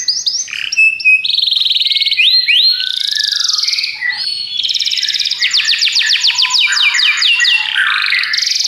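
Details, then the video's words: Continuous varied song of Belgian canaries, mixing clear whistles, sliding phrases, long fast buzzy trills and bursts of sharp repeated descending notes, with brief gaps between phrases. "Os canários belgas cantam espetacularmente"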